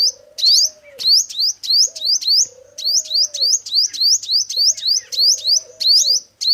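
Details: Song of a male five-coloured sunbird used to lure birds into traps. Quick, thin chirps rising steeply in pitch, roughly eleven in under seven seconds, with a faint low drawn-out hum running beneath.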